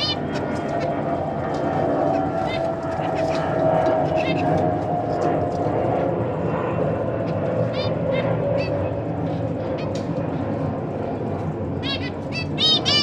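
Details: Zebra finches, a caged family of adults and recently fledged young on 12 December 2023, parents busy feeding the babies: scattered nasal calls throughout, then a rapid cluster of stacked calls near the end, over constant mechanical background noise.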